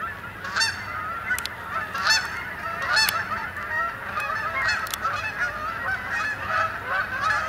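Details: Canada geese (Branta canadensis) coming in to spend the night on the main pond at Sapsucker Woods, Ithaca, New York, October 2017; many overlapping honks, some in quick doubled bursts, form a busy clamour.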